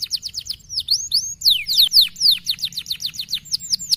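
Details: Canary in fast, dense 'gacor speed rapat' song used to rouse fighter canaries: rapid high downslurred notes and sharp sweeping phrases in quick succession, tightly packed with almost no pauses.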